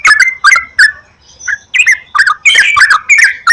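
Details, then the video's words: Yellow-vented bulbul lure recording for encouraging song: a few bright slurred whistles, a faint high thin tone, then dense overlapping bubbly chirps. "PANCINGAN BURUNG TRUCUKAN TERAPI PAGI,SIANG,MALAM,AGAR TRUCUKAN RAJIN GACOR"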